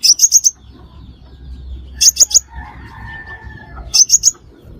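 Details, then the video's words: Lure call of a crimson sunbird, used to trap birds: groups of three or four thin, high, piercing chirps, given roughly every two seconds, with a soft low background hum in the gaps. "Tiếng Hút Mật Xác Pháo Mồi Chuẩn Không Tạp Âm - Bẫy Là Dính"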